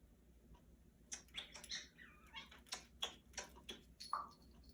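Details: A 35-year-old female pet Congo African grey parrot chatters in quick bursts. She mixes sharp clicks, high whistled notes and a rough, meow-like squawk about ten times in under four seconds.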